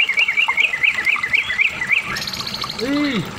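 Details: Medan white-rumped shama, used as a lure to get other shamas singing, gives a quick run of wavering, rising-and-falling whistles about four per second, ending with higher notes and a brief low swooping sound.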